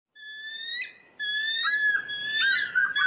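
A bald eagle gives two high, thin whistled notes: a short steady one, then a longer one that breaks into stuttering chatter.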